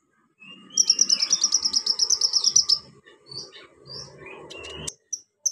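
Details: A pygmy cupwing (konin) delivers a quick run of high, sharp trilled notes for about two seconds, followed by scattered thin chirps and a clicking noise.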